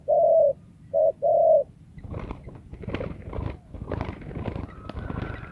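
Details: Wild spotted dove cooing: a short low coo, then a short-long coo pair, all within under two seconds, followed by rustling, clicks and faint higher notes from other birds.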